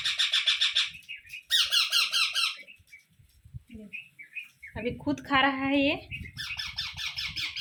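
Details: Young Indian ringneck parrots being fed one by one by an adult: bursts of rapid, harsh, buzzy pulsed chatter, about four per second, with a lower squawking voice in the middle.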